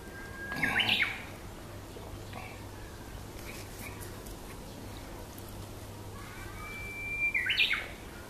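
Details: Two song phrases from a Japanese bush warbler in Aoba-no-Mori Park, May 30: a brief whistle with a quick flourish, then several seconds of quiet with a low hum, then a longer clear whistle ending in a jumbled trill.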